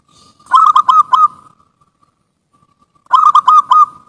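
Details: Zebra dove song used as a lure recording, two bursts of rapid cooing notes on a steady pitch, each about five notes long, separated by nearly two seconds of near silence.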